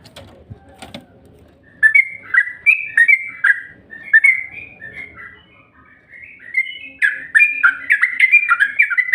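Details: Lure call of a yellow-vented bulbul, used to rouse bulbuls into calling: after a quiet start, bright chattering phrases of quick slurred whistles come in two bursts, the second denser and more excited.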